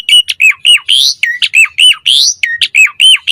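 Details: Asian pied starling pumping out a varied mompa song, used as a training master and lure for starlings. Rapid squawky whistled notes, many bending downward, about three or four per second, with occasional buzzy upslurs.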